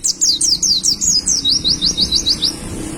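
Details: Pet white-eye in a cage delivering a quick run of high, thin, down-slurred chirps, about five notes per second, slowing into a neat even series of short tweets; faint low hum beneath.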